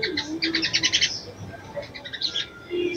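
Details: Ruby-cheeked sunbird female calling the male to arouse him: a run of quick high chirps fading into softer scattered tweets, with a low faint humming tone heard beneath at the start and end.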